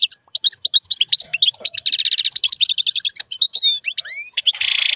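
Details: Wild European goldfinch male, excited while mating with a white female canary, singing strongly: a rapid, unbroken twitter of high chirps and trills, with buzzy rattling stretches and a few rising whistled slurs, ending in a harsh buzzy burst.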